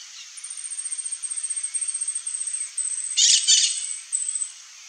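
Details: Glittering-bellied emerald (Chlorostilbon lucidus) singing: a long run of very high, thin, ticking notes repeated about three times a second, broken by two short harsh buzzy bursts near the end, over a faint steady hiss.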